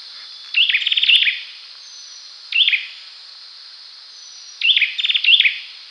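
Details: An olive-backed sunbird sings in clear, fast rattling runs of high thin notes broken by single bright chirps, with pauses of about a second between phrases; light hiss in the background.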